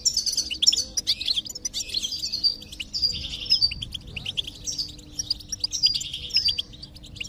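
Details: Goldfinch singing, meant to stimulate a silent goldfinch: repeated twittering phrases of high, bright chirps, roughly one burst every few seconds, over a faint low hum.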